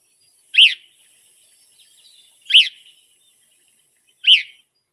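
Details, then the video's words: A Gray-cheeked Thrush gives its call, heard more than song during migration: three thick, slurred, downward, high-pitched and burry "rip" notes about two seconds apart, against a quiet background. "And that's more of a thicker rip type sound, that call to the gray-cheeked thrush."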